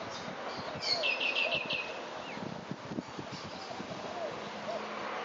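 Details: Silvereye (grey-breasted white-eye) recorded 7 June 2011: a quick run of high, bright chirping notes, about six in a little over a second, then a short rising note, against steady background hiss and low rumbling.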